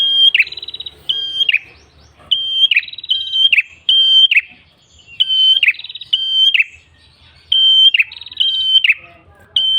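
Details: Long run of ashy tailorbird song, prenjak kepala merah in gacor ngalun style for masteran: paired whistled notes with buzzy endings come in bursts separated by short pauses.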